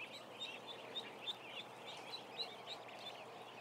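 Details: Roughly a thousand ducklings fill the air with high cheeping, short piercing peeps, some bright and whistled, popping out about every half second over a dense overlapping chorus.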